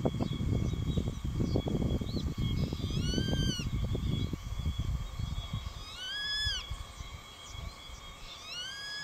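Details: Grey-faced buzzard juvenile calling a repeated 'pikkui': three high, clear whistles, each arching up then dropping, about three seconds apart, over heavy low wind rumble, while perched near an adult that ignored it and later chased it off.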